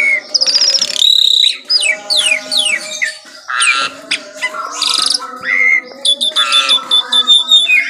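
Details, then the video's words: Singing in the morning, an Asian pied starling gives descending whistled slurs, harsh noisy bursts and clear sustained whistles, ending in a quick series of short notes. "KICAUAN JALAK SUREN GACOR PAGI HARI"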